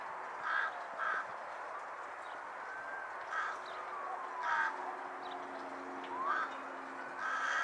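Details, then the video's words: Carrion crow giving harsh, hoarse caws spaced irregularly, about six over several seconds, with faint thin whistled sounds in between and steady background hiss. "Cioara neagra (Corvus corone) - Carrion crow call"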